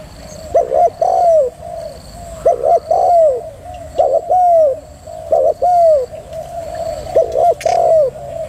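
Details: A female spotted dove repeats its coo phrase six times in under nine seconds, each a short stuttered note run into a longer falling coo, loud and close with light hiss.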